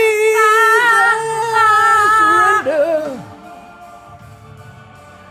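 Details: Loud music with a sustained sung melody and instrumental backing that fades to quiet room tone, with no animal voice.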